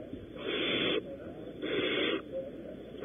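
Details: Two drawn-out, rasping hisses about a second apart from barn owls at their nest at Audubon Starr Ranch, California, while prey is delivered. Each hiss lasts about half a second, over a steady low hum.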